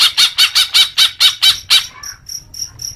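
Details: Greater green leafbird gives nine harsh, evenly spaced chattering notes, then a quieter series of thin, high, pure ticks.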